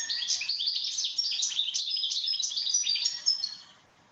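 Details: European goldfinch natural song, a bird heard along the Manzanares, played in a lecture: a rapid, continuous run of bright tinkling twitters and short buzzy notes, high-pitched and jumbled, lasting nearly four seconds before fading to quiet.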